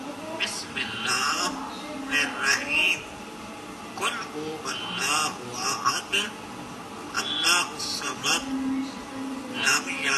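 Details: A parrot talks in bursts of squeaky, nasal, speech-like syllables, reciting Surah Al-Ikhlas; a faint hiss of room noise sits behind it.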